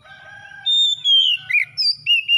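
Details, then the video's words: Oriental magpie-robin, called kacer, singing as a lure for a reluctant kacer: soft tones, then a long descending whistle, a rising slur and several short bright whistled notes. "SEKALI PANCING KACER SUSAH BUNYI LANGSUNG ON IKUT GACOR"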